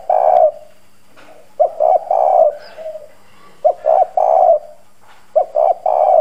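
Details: Spotted dove decoy with a strong, hoarse bronze-toned voice, cooing to provoke wild doves into answering. Deep husky phrases of a short note and two sustained coos repeat steadily about every two seconds.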